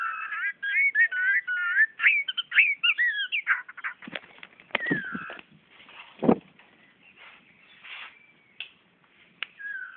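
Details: Magpie-robin in Brunei, 2013, facing a mirror, pours out a rapid run of varied rich whistles for about three seconds, followed by clattering and knocking noises with a few faint notes.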